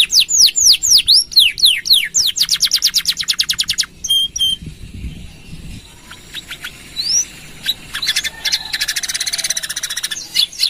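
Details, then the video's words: Canary song, the long 'nembak panjang' style, used for stimulating and teaching other birds: opens with quick downward-slurred notes, then a rapid even trill, a pause, a lone rising whistle and a dense high rattling trill near the end. "Suara Kenari Gacor | Full Nembak Panjang!!"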